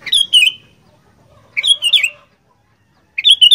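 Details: Kutilang, the sooty-headed bulbul, in gacor fighter mode: three loud, rich bubbling phrases of rolling, slurred whistles, each about half a second long, separated by short pauses.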